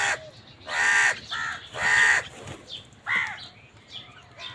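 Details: Crows fighting for food: two loud, harsh, drawn-out caws about a second apart, then a shorter cracked caw, with fainter chirping from small birds in the background.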